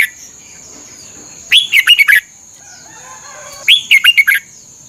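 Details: Red-whiskered bulbul singing for training caged birds, two phrases about two seconds apart, each opening with a rising whistle followed by four quick liquid notes, faint chirps and a steady high hum behind.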